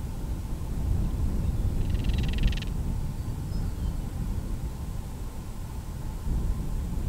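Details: Breeding-season Northern Crested Caracara making a hollow, dry rattle near two seconds in, under a second long, against constant low wind rumble. Filmed with a Canon SX70HS camera.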